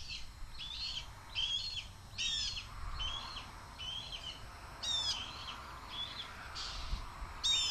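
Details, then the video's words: Fledgling male red-tailed hawk near the nest calls to his mother during her flybys, wanting a food delivery; hoarse, rasping screams repeat roughly every second with a slight hiss of background noise. "Deyani Sees Mom & Screams!"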